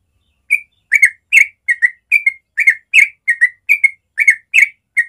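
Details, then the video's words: Sooty-headed bulbul giving a natural morning song in the rapid 'ropel' style, used to prompt young birds to learn it: bright whistled two-note phrases repeated quickly, some falling, over a clean silent background. "Masteran Trucuk ropel suara alami pagi hari cepat merangsang trucuk muda belajar ropel"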